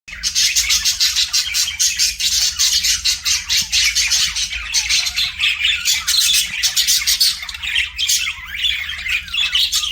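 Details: Pet budgerigars chirping: dense, continuous scratchy chatter with rapid buzzy pulses and squawky notes, steady and busy throughout, several birds likely overlapping.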